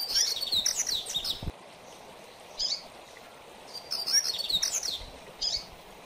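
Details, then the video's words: Song of a double-collared seedeater in the mateiro style, used for training: dense, fast phrases of high chattering and whistled notes, repeated twice, each followed by a brief softer note, over steady background hiss. "Coleiro Mateiro"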